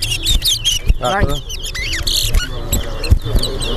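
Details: Towa towa (seed finch) at a singing race at Bath Settlement, Berbice, Guyana: fast sequence of clear whistled notes, some sharply rising, plus chirps, against crowd talk and low hum.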